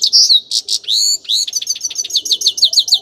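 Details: Grey-crowned goldfinch song, a lively jumble of high whistled slurs and sharp buzzy notes that lead into a rapid series of chirping, downslurred twitters.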